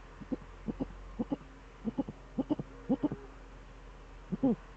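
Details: Eurasian eagle-owl duet with the male at the nest, Eifel, December 13, 2013, 17:25 in the evening: short, deep hoots in close pairs, about a dozen notes over five seconds, over a steady low hum.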